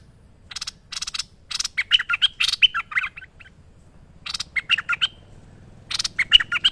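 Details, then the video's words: Active merbah lekir bulbul song for training birds: harsh rasping notes leading into quick liquid warbles, repeated in three bursts with short gaps between them. "Merbah Lekir Gacor Masteran Terbaik"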